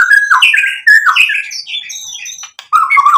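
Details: White-rumped shama singing to provoke other shamas into answering: dense varied warbling of slurred whistles and harsher notes, high overtones above, a short break, then low-pitched wavering whistles.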